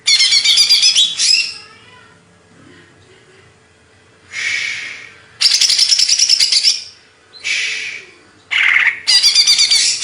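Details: Banyuwangi greater green leafbird from Indonesia giving intermittent bursts of loud, high, rattling chatter and buzzy rasps, separated by pauses of one to three seconds.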